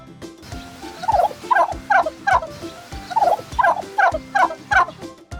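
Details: Domestic farm turkey, fed corn and soybean meal, gobbles twice, each a fast, throaty rattling burst of bubbling notes.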